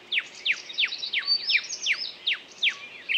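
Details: Bird sings a string of sharp downward-sweeping whistled notes, about three per second, with softer high warbles between them.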